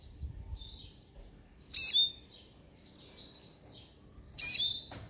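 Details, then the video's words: Siskin song: high, thin twittering notes with two louder, sharp bursts about two and a half seconds apart, over a quiet background. "بسبوس كيني Siskin song"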